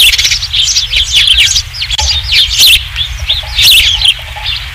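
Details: At the Dunrovin Ranch osprey nest, 27 July 2016, third fish: dense, continuous high whistled chirps, many rising and falling, overlapping one another over low steady background rumble.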